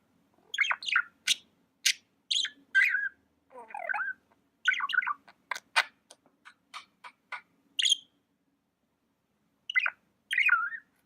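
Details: Pet budgie chattering with scattered sharp chirps, clicks and short warbles spread over about eleven seconds, with quiet gaps between phrases.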